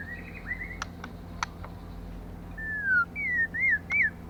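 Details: Female white-rumped shama singing to stimulate males: after scattered clicks, a falling whistled note followed by three looping, up-and-down whistles, loud and clear against a low background hum.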